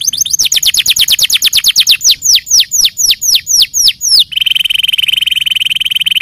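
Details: Singing canary moving from a quick high trill into slower, descending whistled slurs, then switching to a steady, fast, lower-pitched rattling trill.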